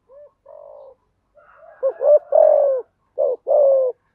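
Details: Spotted dove song used to train newly caught doves: soft quiet coos building into louder paired cooing phrases, short note then a long falling coo.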